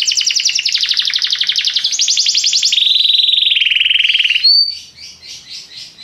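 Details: Belgian canary singing a popular song style, used to get other canaries going: rapid trilled tours stepping down in pitch, a buzzy rolled section, then a thin whistle and softer repeated notes.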